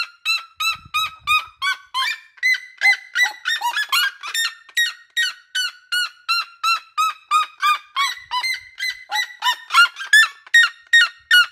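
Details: A red-legged seriema (Cariama cristata) in a backyard sings loud, yelping, far-carrying notes, about two to three per second, in a long series that rises in intensity and pace.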